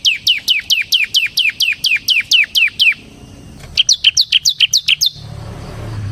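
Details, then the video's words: Ciblek semi (bar-winged prinia) delivering a long, even run of loud, piercing down-slurred chirps, about four per second, then a shorter, higher series, with faint low noise at the end. "suara burung CIBLEK SEMI GACOR Ngebren Ampuh untuk Pancingan Ciblek Kristal dan Masteran Ciblek"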